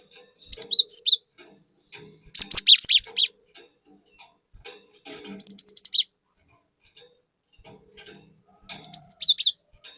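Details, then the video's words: Cinereous tit singing busily, used as a lure to stir other birds: four separate bursts of high, rapid chirps and slurred whistles spaced a few seconds apart. "Pancingan Burung Glatik Batu Gacor Fariasi Glatik Bahan Auto Emosi || Glatik Batu Gacor Nembak"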